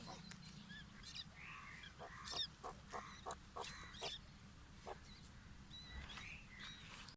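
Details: Fighting white partridge chicks give rapid squeaky chirps, clicks and brief whistled notes, irregular and overlapping, with a constant low droning hum underneath.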